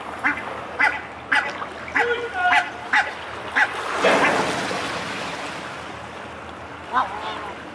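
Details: Mute swans at the Elbe, Dresden, recorded 17 May 2017 at 14:48; series of brief nasal honks in quick succession, followed by a rushing noise burst and a single later call.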